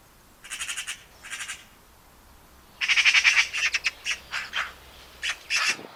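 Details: Eurasian magpie chattering in a series of harsh, raspy rattles: two short bursts, a pause, then a longer rapid rattle followed by several clipped, scratchy notes spaced irregularly.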